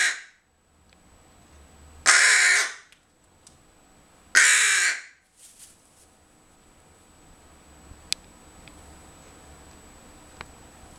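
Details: Captive rook indoors, after finding part of a wheel from its cage, gives loud, harsh, raspy caws: one clipped at the start, then two drawn-out hoarse calls about two seconds apart, followed by faint clicks and quiet room noise.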